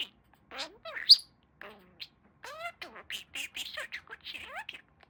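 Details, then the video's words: A male pet budgerigar talks in a rapid stream of chirpy mimicked words, with squeaky rising and falling syllables separated by short pauses and a sharp high squeak near the start. "Talking Parakeet"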